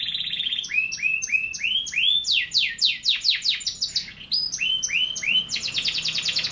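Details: Pet canary singing a long varied song: rapid trills and rolling, repeated down-slurred whistles at a high pitch, shifting from tour to tour with brief bright buzzy phrases.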